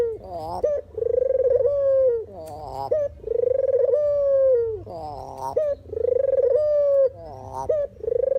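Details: Puter or deruk dove, recorded for use as a trapping lure and training sound, giving long steady hollow coos near one pitch, each followed by a short rising stuttered note, in a repeating cycle about every two seconds.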